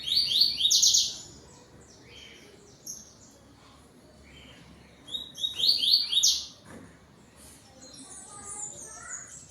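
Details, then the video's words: Yellow-billed Double-collared seedeater (coleiro) singing to another bird at 17:31 on 12 November 2025 as dusk falls: two bright, high phrases of rapid buzzy "tui-tui" notes, about a second each, with softer chirps between. "COLEIRO TUÍ TUÍ ZEL ZEL ZEL ZEL"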